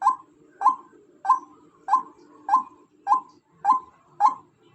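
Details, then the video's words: Eight loud, clipped notes from a female white-breasted waterhen in under five seconds, regularly spaced and slightly rising at the start of each, above a low hum. "suara ruak ruak betina"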